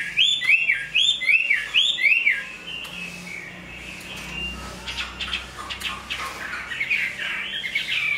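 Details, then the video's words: Chinese hwamei, big-bodied, good singer and fighter, in fresh plumage; four repeated arching whistled phrases about half a second apart, then quieter scattered notes and rustling before the singing resumes faintly. "Họa mi bộ to hót tốt"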